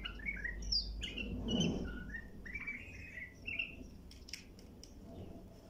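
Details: Bulbul singing as a teaching recording for young birds: separate fluty, slurred whistled phrases rising and falling at mid to high pitch, with a low rumble early on and a few sharp clicks near the end.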